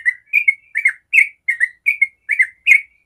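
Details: Chattering 'ropel' run from a yellow-vented bulbul, a lure song to make other bulbuls respond. Eight quick doubled, gurgling notes tumble out in three seconds, with nothing else audible.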